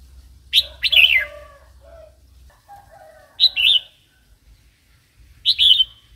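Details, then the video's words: Red-whiskered bulbul wild-style song for training young and wild-caught birds: short warbled bursts of bubbly notes at spaced intervals, with softer lower chatter between them and a faint low rumble. "เสียงนกกรงหัวจุก เพลงป่า"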